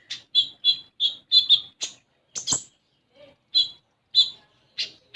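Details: Common iora, lure recording for a young konin: clear evenly spaced high chips in a quick string, a couple of sharp clicks, then spaced single notes with gaps of silence.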